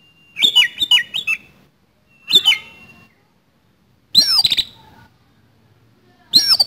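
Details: Oriental magpie-robin, or kacer, in fighting song with harsh fill: a run of three quick whistled notes, then a single sharp note, then two rattling buzzy phrases, about thirty phrases a minute.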